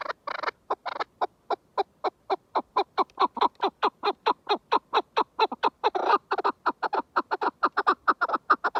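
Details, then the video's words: {'caption': 'Chukar partridge giving a long, steady, rapid series of harsh clucking chuk notes, four to five per second, fairly even in loudness, with a brief denser burst midway.'} "کەو - دەنگی کەو - کەوی دەنگ خۆش - kekliksesi - keklik - куропатка- صوت الحجل"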